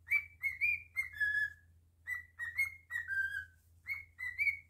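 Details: Household cockatiel performing its whistled song, a looping phrase of three or four pure rising notes and a longer descending whistle, repeated three times, soft hum in the room.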